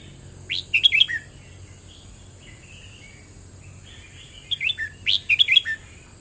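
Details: Red-whiskered bulbul delivering 'boen rik' style song: a sharp burst of rapid, bright whistled notes, then several seconds of soft quiet warbling, then a second matching burst of chirpy notes ending on a low slur; steady faint hiss throughout.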